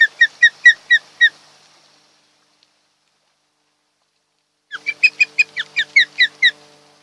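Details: Osprey pair at a nest on Kent Island, Maryland, early morning in July: two series of sharp, rapid whistled chirps, about six notes each, separated by silence.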